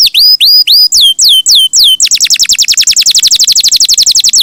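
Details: Canary in lively, melodious chattering song. Seven bright upward-sweeping whistles, then a fast, even trill of high sliding notes that runs to the end without pause.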